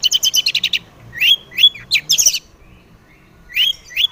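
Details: Long-tailed shrike song, used as a lure to prompt other shrikes to sing: a fast burst of about eight repeated chirps, then sharp whistled notes and a scratchy phrase, a pause, and two more rising whistles.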